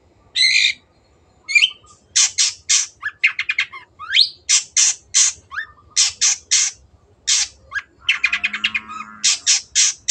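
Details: Caged long-tailed shrike in full, continuous song meant for training other birds: varied harsh squawks, sharp upswept notes and rapid chattering bursts in irregular sequence, with a faint low hum in the background.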